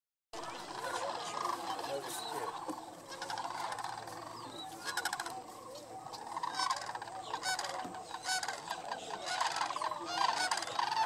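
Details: Thousands of sandhill cranes on their annual migration at Paynes Prairie State Preserve near Gainesville, North Florida: a dense, continuous chorus of rolling, rattling bugle calls from a huge flock, overlapping without pause, a distant wash of many voices.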